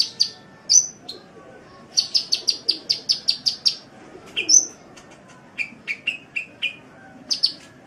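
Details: Masteran recording of a sunbird: bursts of rapid high chips in runs of about eight, mixed with sharp whistled notes and a series of lower, short downslurred calls.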